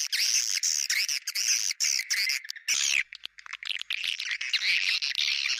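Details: High, chattering swiftlet twitter in the 'bintang utara' lure style, said to be favoured by swiftlets; loud wavering trills for three seconds, then a short quieter stretch of clicks before the chatter resumes.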